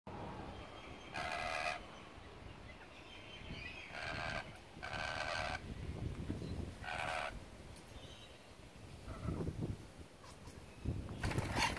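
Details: A hungry, cranky lorikeet at a house, curious and wanting food, gives four or five harsh, rasping screeches, each about half a second long, spaced a few seconds apart, over a low outdoor rumble of wind or traffic.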